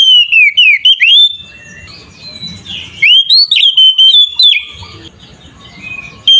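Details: Fighting 'ngeplong' song of an Oriental magpie-robin, played to make other magpie-robins emotional and sing. Rapid run of sweeping and level whistles, a softer stretch, then another burst of pulsed whistles and a final note.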